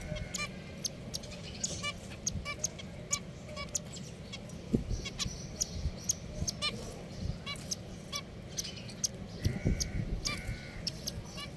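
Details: A group of pet finches keeps up a busy run of brief nasal beeps and honks, with a couple of longer buzzy notes late on, over low background hum.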